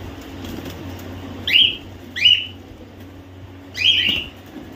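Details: Home-bred captive cockatiels, babies and semi-adults, give three loud, harsh, rising-then-falling screeched calls spaced about a second apart over a quiet low hum.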